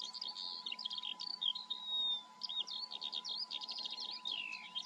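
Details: Eurasian skylark singing in front of the camera in the Eifel, pouring out a fast, continuous stream of high chirps, trills and thin whistles, hardly pausing, over a steady mechanical hum.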